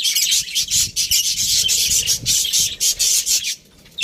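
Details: Many aviary budgerigars chirp at once, a dense, shrill stream of fast notes pulsing in short bursts, dropping away abruptly in the final half second.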